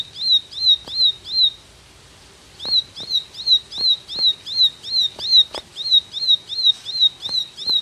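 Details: Rapid 'tembakan' song from a ciblek: a bright arched whistle given about three times per second, briefly pausing for over a second before resuming, accompanied by scattered sharp clicks.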